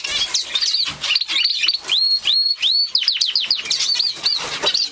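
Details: Gloster canary in song, giving a lively run of bright, arching whistled notes and quick upslurred chirps, repeated rapidly with brief gaps, all high-pitched and loud.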